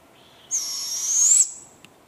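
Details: Two barred owlets: a single long, high, hissing screech lasting about a second, slightly rising toward the end, followed by a faint click, over quiet background.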